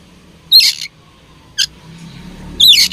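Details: Oriental magpie-robin, a fighting bird: three short, harsh high chirps spaced about a second apart. Faint low hum underneath.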